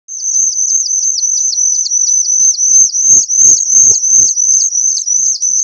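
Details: Whistling thrush chick calling very loudly: a high, sustained thin whistle with rapid downward-hooked notes about three per second, plus some low knocking and handling thumps midway.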